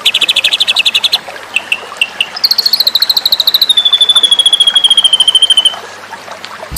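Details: White-rumped shama singing masteran material for song contests: short bursts of high rattling notes, a few separate chips, then a long, fast, sustained trill that slowly drops in pitch before stopping.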